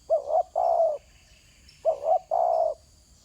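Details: Two phrases from a spotted dove on the ground, each a short two-part coo running straight into a longer sustained coo, clear and close, with a soft high buzz of insects behind.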